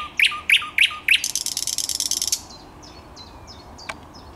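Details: Thrush nightingale in song, 10 May 2021: four loud upswept chocking notes, then a harsh fast rattle lasting about a second, followed by soft high whistled notes.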